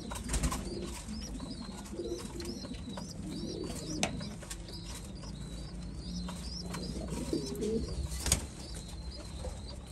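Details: Low murmuring coos from white homing pigeons run under a steady series of high, thin, repeated chirps from other birds. Background hum and a few sharp knocks are also heard.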